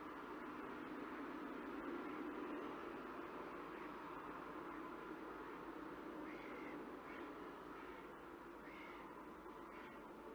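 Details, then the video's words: At a nest box on 19 October 2018, mid-morning, common starlings squabble in a dense, harsh, rasping churr that runs on without pause, with a few brief squeaky notes near the end. "Spreeuwen ruzie"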